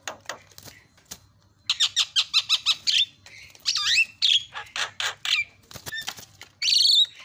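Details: Lure recording of a Javan myna song meant to restart a bird that has stopped singing: a quick run of about eight harsh, clipped notes, then squeaky twisting whistles and a final rising buzzy squeal.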